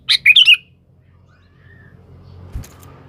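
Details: Sooty-headed bulbul calling a rival, recorded as a lure: a single quick bubbly phrase of three slurred whistled notes, then quiet with a faint thump.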